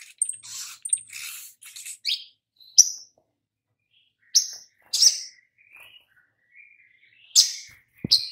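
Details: Sogok ontong used as a lure to prompt singing: quick high twittering at first, then scattered thin piercing chirps and a few soft lower whistles separated by quiet gaps.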